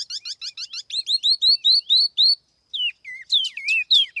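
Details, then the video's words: Tiểu mi laughingthrush song for use as a lure, recorded without background noise: rapid runs of short chirps that merge into a series of bright, upswept whistled notes, then a pause and a few looping, varied whistles. "TIẾNG CHIM TIỂU MI MỒI KHÔNG TẠP ÂM CỰC CHUẨN"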